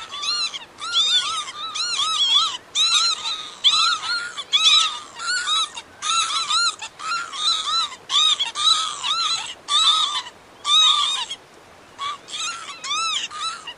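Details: Northern lapwing: a dense run of wheezy, arched, slurred notes rising then falling, overlapping and repeated many times a second in bursts separated by brief gaps, with a strong buzzy edge and no other clear sounds.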